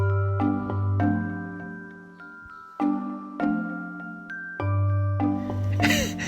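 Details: Mallet percussion, like glockenspiel or marimba, strikes bell-like notes over a deep sustained bass, with no animal calls.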